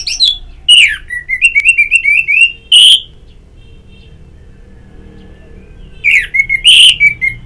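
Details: Orange-headed thrush in ngeplong therapy audio: loud, strident whistled phrases with a stuttering series of repeated slurred notes, a piercing high note, a pause of about three seconds, then more emphatic whistles.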